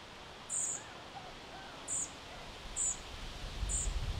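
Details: High, short chip calls from European Pied Flycatcher fledglings at Sastamala, Finland, summer 2025, four notes at uneven intervals, while a low engine-like rumble, perhaps a chainsaw, swells toward the end.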